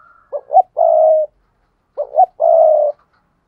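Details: Spotted dove coo used as a lure for wild doves: two phrases about a second and a half apart, each two brief hoots then a drawn-out low coo.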